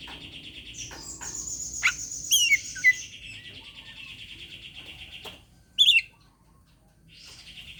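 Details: Challenging song of an Oriental magpie-robin provoking a rival to fight: sustained harsh buzzing rattles with high thin overtones, broken by quick whistled flourishes and one loud piercing note near the end.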